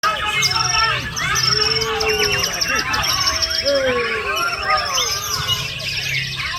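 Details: Male white-rumped shama singing with a fill-in imitating parakeet calls: dense, fast run of sharp chirps, high thin whistles and arched notes, with other overlapping bird calls and a low human hum behind.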